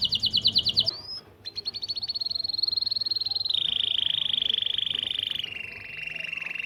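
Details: Syrian local canary song aimed at training chicks to sing, starting with quick repeated notes, a brief gap, then long sustained buzzy rolls stepping lower in pitch.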